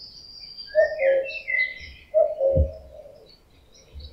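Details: A summer male common cuckoo in breeding season gives two loud, far-carrying cu-coo calls about 1.4 seconds apart, the second note lower, while small birds twitter and trill overhead.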